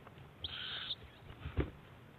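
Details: Owlet at a 7am feeding by its mother on 7 March 2010, two young competing for snake or eel; one brief, harsh hissing screech of half a second, followed by a soft thump.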